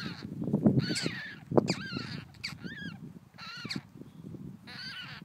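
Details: Newly hatched white stork chicks in a wetland enclosure at Nordens Ark, Sweden, give short, nasal, wavering mewing calls in bursts about once a second, over low rumbling and handling noise.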